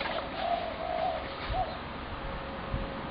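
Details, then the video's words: Spotted doves, a large flock swollen by heavy feeding from a neighbour, calling near homes from sunrise to sunset; a few mellow coos in a short series over steady background hum. "Home virtually untenable due to dove infestation - noise DISASTER!"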